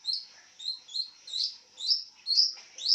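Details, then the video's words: Lovebird resting on its side and calling, seven quick, high, slightly rising chirps in three seconds, each a short squeaky note in a regular pattern. "Love bird Tiduran sambil bunyi"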